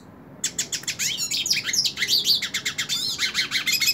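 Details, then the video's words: Hooded siskin, a male described as a top singer, singing while held in the hand: after a short silence a rapid, continuous twittering of high chirps, trills and buzzy rising and falling notes runs without pause. "Cabecita Negra Canta En La Mano / Pintassilgo Cante Na Mão"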